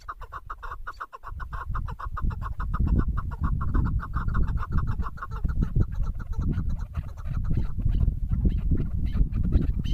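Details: Female chukar partridge, in a bird-hunting setting, giving rapid repeated clucking notes in a steady series throughout, over strong low rumbling background noise.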